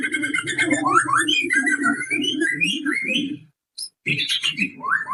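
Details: Lure song of a pastol white-rumped shama, played to provoke other shamas into singing: rapid tumbling whistles and sweeping slurred notes, broken by a short gap, then more bright rising phrases.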